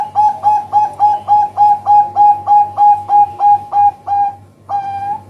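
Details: Lure sound of a zebra dove (perkutut, Bangkok and local types) used to attract birds for trapping: a fast, regular string of about fifteen short cooing notes, four a second, ending in a softer drawn-out note.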